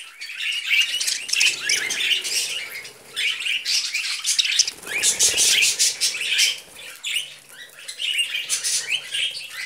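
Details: Several pet budgerigars eating vegetables give dense, rapid chirps and chatter, high and continuous with short squawky notes, a brief louder burst near the middle.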